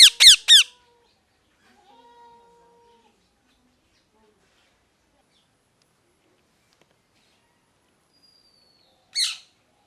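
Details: Three sharp, harsh parrot squawks in rapid succession open the recording, followed by long near-silence with a faint hum, then one more loud squawk near the end.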